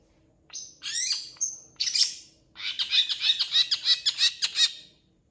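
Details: Long-tailed shrike in full vigorous song, kept as a tutor recording for training other shrikes. Its repertoire is said to include imitations of cats and chickens. Sharp whistled notes open the clip, then a dense run of harsh, rapid chattering bursts about three per second.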